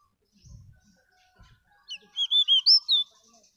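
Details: Pakistani pied bush chat giving a brief sweet song phrase of five or six rapid, clear, twisting whistled notes after a quiet start with a few soft low thumps.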